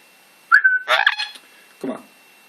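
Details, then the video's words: Pet Amazon parrot gives a short clear whistle sliding steady, then a harsh burst of raspy chatter, followed by a lower grating sound; brief quiet before and after. "Amazon making noises"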